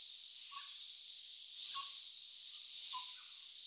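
A Daurian Redstart gives thin, high whistled call notes, one about every second and a bit, three in all, against a quiet background.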